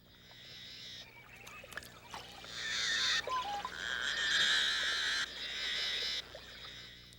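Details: An eared grebe, whose summer habitat is the marshy, shallow parts of freshwater lakes and ponds, gives high, chattering trills in rapid bursts, with softer whistled notes between them.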